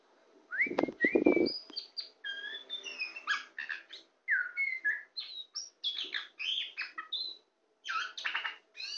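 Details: Tame champion kacer poci (Oriental magpie-robin) singing while perched on a hand: varied whistled and rising notes with short warbled phrases. A dull low thump from handling opens the clip.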